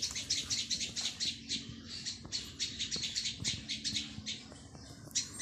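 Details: Baby plaintive cuckoo calls insistently with bright, piercing, rapidly repeated chip notes in uneven bursts, with a faint low steady tone beneath.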